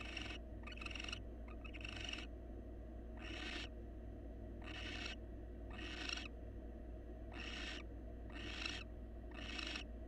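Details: Wild male barn owl grooming his mate and offering food inside a nest box; a string of about eight harsh, breathy screeches about a second long, some closely paired, with faint clicks and background hum.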